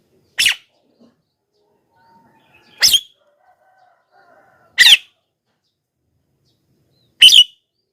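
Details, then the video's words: Javan myna (jalak kebo) lure call meant to draw wild mynas to answer: four short, harsh, rasping calls repeated roughly every two and a half seconds, with quiet gaps in between. "suara BURUNG JALAK KEBO,gacor menggelegar,semua jalak kebo auto nyahut"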